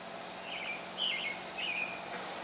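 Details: Early-morning Pale thrush song from a house rooftop near 7 a.m.: three quick whistled notes, slurred and slightly falling, packed into about two seconds against a faint constant background hum.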